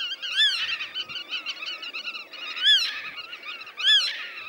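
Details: Several black-tailed godwits in the Dutch polder landscape give continuous nasal, rhythmic calls with rising-falling notes repeated about once a second, mixed with overlapping chatter.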